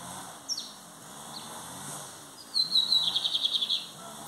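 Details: Lined seedeater (bigodinho) singing loudly in the classic training song. After a few thin, high, downslurred chips, it gives a quick, buzzy trill of about a dozen rapid notes lasting just over a second, over steady background hiss.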